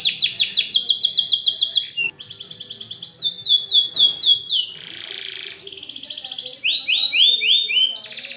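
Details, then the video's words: Canary in full song meant to teach juvenile canaries, opening with a fast pulsing trill, then varied buzzy rolls, clear repeated descending whistles and bright chirp runs, delivered in quick, tightly packed phrases. "kenari gacor panjang Cuit Cuit EMOSI, Pancingan Kenari Paud Belajar Bunyi"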